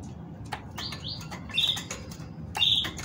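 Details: Female great tit singing to stimulate males to sing: two quick rising high chirps, then short bright high notes about a second apart, over soft rustling and low background rumble.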